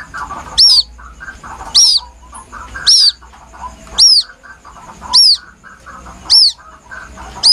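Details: White-breasted waterhen chick calling for use as a hunting lure: seven sharp, high arched peeps in a fairly steady rhythm about every 1.1 seconds, with faint chirps underneath.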